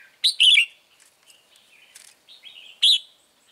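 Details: Red-whiskered bulbul serving as a trap lure, giving short loud warbling phrases at the start and end with softer whistled notes in between.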